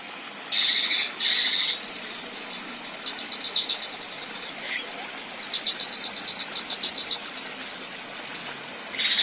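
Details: Female Kinoi rough tembakan: two harsh buzzy notes open into a long, very high, rapid pulsing trill lasting about seven seconds, then a final rasp.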